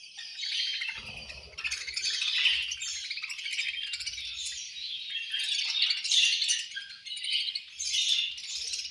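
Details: Budgies at feeding time, a group chattering in continuous raspy warbles and sharp chirps, swelling and easing in waves, with soft knocks and rustles in the cage.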